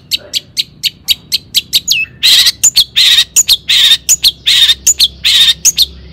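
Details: Long-tailed shrike singing loudly as a lure to get other shrikes excited and answering, "toet toet" style: about ten crisp high ticks, then alternating harsh rasping bursts and bright whistled notes.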